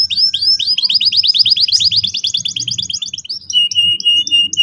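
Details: Vigorous canary song meant to help young canaries roll: a long, very fast series of sharp chipping notes forming a sustained trill, shifting into slower clear whistled pips, with a low hum beneath.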